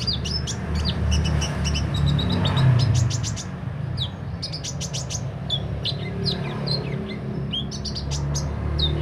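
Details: Sunbird singing: thin, very high chirps and short ticking notes in loose bursts, partly masked by loud, steady low-pitched background noise.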